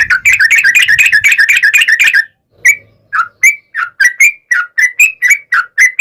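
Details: Singing yellow-vented bulbul used as a lure to make others of its kind respond: it opens with a dense, rapid burst of chirps, pauses briefly, then gives evenly spaced, clear, slurred whistled notes.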